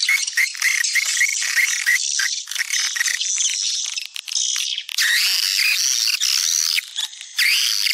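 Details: Swiftlet attraction call in a style popular in Sumatra: nonstop, dense, high-pitched buzzy chattering, with faint repeated lower chirps under it and a brief dip midway.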